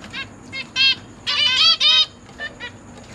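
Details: Zebra finch family in a cage, September 2023, parents feeding newborn and juvenile young: a few brief nasal notes, then a dense cluster of overlapping harmonic calls near the middle, and a steady thin high tone behind.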